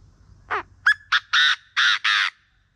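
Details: Morning call of a Chinese francolin, kept for luring birds: a short down-slurred note, a sharp upward note, then four loud, harsh, rasping notes in rapid succession, ending abruptly in quiet.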